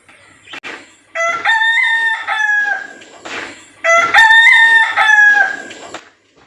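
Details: Village rooster crowing twice, each crow a loud multi-part cock-a-doodle-doo lasting about two seconds with harmonic, slightly descending phrases, separated by a short rustling pause.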